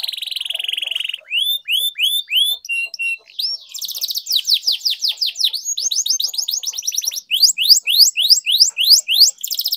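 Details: Canary singing a long rolling training song meant to prompt silent canaries: a steady high whistle, then rising slurred notes, followed by fast repeated downward-sweeping phrases and dense high trills that change pace every few seconds.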